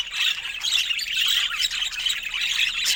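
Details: Playful pet budgerigar with its owner, giving a rapid stream of harsh squawky chirps and warbles that runs without a break.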